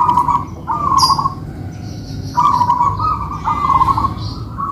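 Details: A local-type zebra dove sings in a duet with another kept bird. Bubbly, trilling coo phrases alternate with brief gaps. Faint high chirps sit above a low steady rumble.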